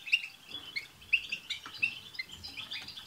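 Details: A brief, softer stretch of a European goldfinch group chorus with 'tsts' notes, used to prompt a pet goldfinch to sing. Clear chirps repeat about once every half second over a low murmur.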